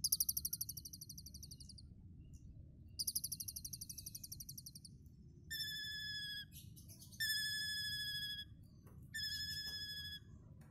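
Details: Singing Asian pied starling from Tulungagung, East Java, imitating lovebird and cililin: short bursts of fast scratchy rattles separated by pauses, then sustained clear, ringing whistled notes held about a second each, over a constant low background rumble.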